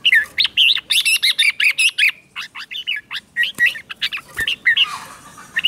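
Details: Red-whiskered bulbul, a trained bird, sings a morning song meant to rouse wild-caught birds: a rapid run of bright, warbled, up-and-down whistled notes, packed closely for nearly six seconds with barely a pause.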